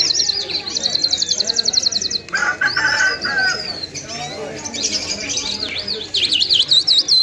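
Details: Afghani Mashadi lunda lark singing: fast, rhythmic runs of high repeated notes, then a pause with a lower burst, followed by looping whistled zigzag phrases, with faint background chatter.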